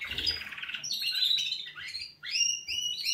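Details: Canaries giving a wake-up song, a rapid buzzy trill at the start followed by clear whistled notes sweeping down and up, phrases tumbling quickly one after another.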